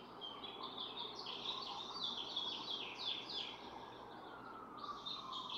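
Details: Barn swallows (Hirundo rustica) sharing incubation of four eggs, begun June 6; fast, gritty chirping phrases in a steady run, a short gap, then renewed twittering, with a faint distant siren near the end.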